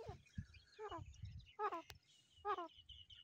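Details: Grey francolin (Ortygornis pondicerianus), chick calls.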